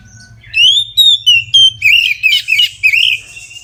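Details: Oriental magpie-robin singing full 'ngeplong' song at midday as a lure for other magpie-robins: a sweet rising whistle, then about nine punchy whistled and trilled notes in fast succession, some with rough buzzy edges.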